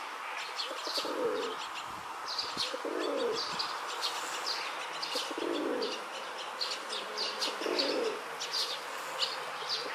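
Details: A rock dove in a park gives low, throaty coos about every two seconds, four in all, during courtship as a male pursues a female, over a busy background of small birds chirping.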